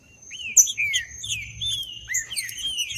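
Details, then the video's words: Green-winged saltator song used to provoke a captive male: loud whistled slurred phrases, some rising and some falling, delivered in quick succession, with a faint steady high tone and low background rumble. "ESQUENTAR TRINCA FERRO FRIO RÁPIDO FAÇA O TESTE TRINCA FERRO NO MATO PARA ESQUENTAR TRINCA FERRO"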